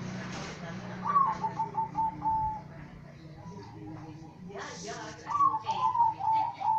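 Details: Zebra dove from a kept collection, an actively singing bird, giving two cooing phrases: each opens with a short rising note, then a run of quick, even coos near one pitch. Background voices and room noise are heard between phrases.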